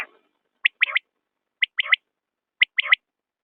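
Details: Common quail giving its clear three-note call, one sharp whistled note then a rapid double note, repeated three times about once a second against silence.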